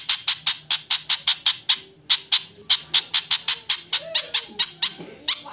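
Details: Javan flycatcher alarm: bursts of harsh clicking ticks repeated rapidly, broken by a short pause, with faint low sounds in the background.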